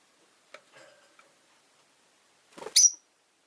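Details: Rosy-faced lovebird giving one loud, harsh, buzzy chirp near the end, preceded by faint soft twitters; quiet surroundings where city noise from cars, motorbikes and bicycles can occur.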